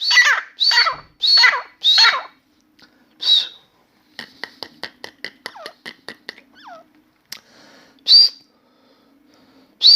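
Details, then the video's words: Grey francolin (Dakhni teetar) singing inside a room: four loud, harsh, grating phrases in quick succession, then a run of sharp dry clicks, a couple of soft whistled slurs and two further loud harsh bursts. "Grey francolin Dakhni Teetar song"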